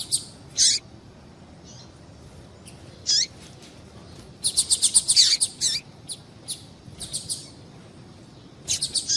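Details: Female double-collared seedeater calls played to excite males: a few sharp high chirps early, then a fast rattling series of bright notes mid-clip, and more chirps near the end, with faint background hiss.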